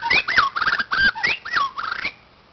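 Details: White-crowned shama singing at a playground: a lively run of looping whistled notes, rising and falling slurs delivered in quick succession for about two seconds before fading out.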